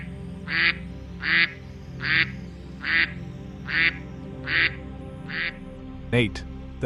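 A mallard gives seven harsh, nasal quacks at an even pace, a little under one per second, over soft background music, with a brief sharp sound at the end.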